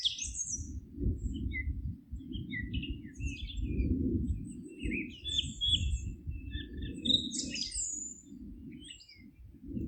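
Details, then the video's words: Birds singing in a forest at GPS 48.772993, 19.157495: scattered high chirps, short trills and whistled notes from several birds, over a steady low rumble of environmental noise throughout. "Forest relaxing sounds of singing birds"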